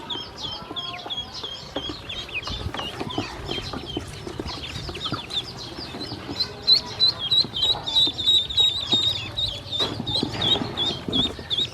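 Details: Hungry domestic ducklings being given feed and drinking water by a woman, a crowd of high, thin peeps repeated rapidly and overlapping, over soft pecking and tapping noises.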